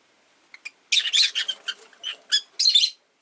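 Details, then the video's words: Caged rosy-faced lovebirds squabbling over a perch spot; two small peeps lead into a dense burst of harsh, chattering chirps and squawky notes lasting about two seconds. "Lovebird Chirping Sounds"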